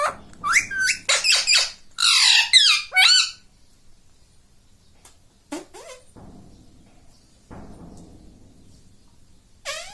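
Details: Pet parrot indoors speaking like a human, mummy and mitthu mitthu; a rapid burst of squeaky, harsh voiced syllables in the first seconds, a single short note midway, soft room noise, then one squeaky note at the end.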